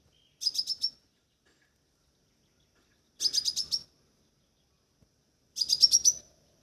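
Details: Crimson sunbird calling: three short bursts of rapid, sharp, high chirps, each under a second long and spaced about two and a half seconds apart, each burst rising slightly in pitch, with a quiet background.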